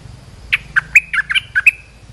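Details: Olive-winged bulbul call played to train young birds and lure wild ones: a quick bubbly run of about seven bright, chirpy notes that alternate up and down, over a faint low hum.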